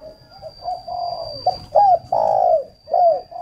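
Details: Spotted dove used as a luring decoy, Ba Vi district near Hanoi, Vietnam: a run of low cooing notes, some ending in a falling sweep, loudest near the end, with a faint steady high whine behind.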